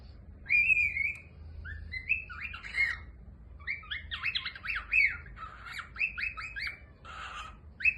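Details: A cockatiel having its head scratched chatters in bright, whistled chirps and short rising and falling notes.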